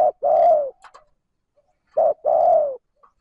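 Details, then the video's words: Spotted dove giving a smooth, continuous cooing call used to stimulate and lure other doves: two deep, hollow phrases about two seconds apart, each a short note then a longer drawn-out coo, with faint clicks between. "Tiếng cu gáy trơn ròng thúc gù gáy kích bổi nhanh nổi"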